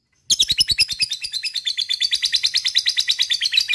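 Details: Lovebird ngekek panjang, a long chattering song used to set other lovebirds singing: one sustained, rapid, high-pitched rattling trill of evenly repeated notes starting after a short silence.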